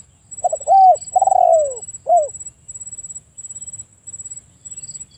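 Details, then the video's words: Spotted dove's cooing phrase: a stuttered short note, a rounded coo, a long coo gliding down in pitch, and a closing short coo, then quiet with only a faint steady high whine. "The Best Spotted Dove Sound លលកសម្លេងល្អលឺច្បាស់១០០%"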